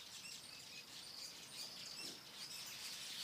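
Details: Weavers at dusk in Ashburton, KwaZulu Natal, South Africa, busily building nests on a late summer evening; high, thin chattering and buzzy twitters overlap in a steady colony din, with a brief low thump near the middle.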